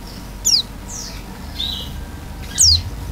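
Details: Oriental white-eye giving loud, open-beaked song in the full imitation-rich gacor isian style. Three sharp, high whistled notes slide steeply downward, spaced about a second apart, over faint background hiss.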